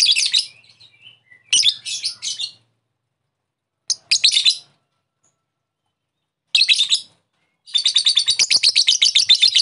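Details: Lovebird challenge sound used to draw another lovebird into calling and ngekek: several separate harsh, shrill bursts spaced by silences, closing with a sustained rapid chatter of high, clipped notes.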